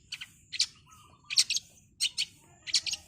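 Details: Long-tailed shrike in a training recording for songbirds: short, high, sharp chirp bursts in pairs about every half second, with a faint low steady hum underneath.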